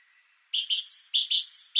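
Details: After a brief pause, a great tit (Parus major) launches into rapid repeated phrases of paired buzzy notes and a high whistled slur, about three phrases in under one and a half seconds.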